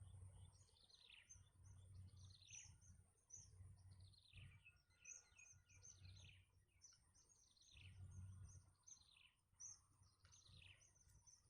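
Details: Young birds in a nest begging as their mother feeds them; a quick series of thin, descending chirps repeats roughly every second, many overlapping, over a steady low hum.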